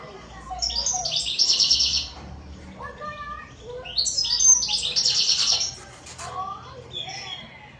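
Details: European goldfinch singing: bright, rapid twittering phrases of high chirps and trills in two bursts, with quieter lower notes between them.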